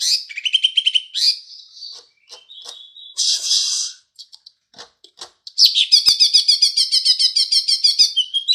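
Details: Mimicry of house sparrow by a green leafbird: mixed chirps, whistles and a harsh rasping burst at first, then a long, even stream of fast, high chattering notes.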